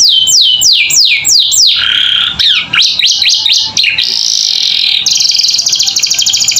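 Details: Captive canary's 'gacor isian' song, tutor audio for young birds: repeated high swooping whistles, a buzzy warbling passage, short rising notes, then a fast high rattling trill.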